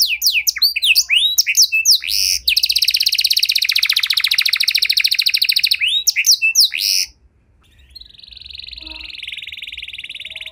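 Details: Canary in full song with elaborate phrasing, used to coax stalled canaries back into singing: fast slurred sweeps, a long buzzy rattling trill, a brief pause, then a softer steady trill.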